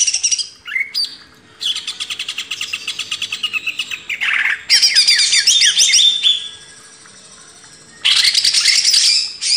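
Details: Greater green leafbird master song for training cage birds: rapid, scratchy, high chattering phrases in bursts of a few seconds, with rattling trills and short pauses between them.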